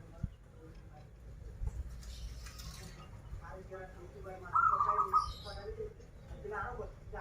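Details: A single burbling, trilled coo from a local Indonesian zebra dove from Banten, praised for krital and warung kebek song styles, rises over background conversation and faint clicks.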